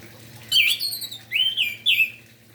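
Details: Orange-headed thrush singing in the morning to encourage other orange-headed thrushes to sing; three loud, rich whistled phrases with dipping and rising slurs in quick succession, on a quiet humming background.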